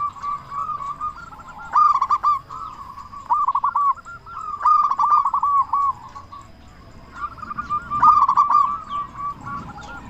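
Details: Vigorous local Zebra dove whose big voice serves to rouse silent doves into singing: repeated low coo phrases, each opening with a quick staccato flurry and trailing into rolling trills, roughly every three seconds.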